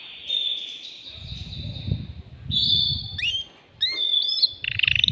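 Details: Male canary singing to stimulate a female for mating, caged: sustained high whistled notes, a pause, then brief sweeping whistles and a buzzy trill at the end, with low rumbling background noise.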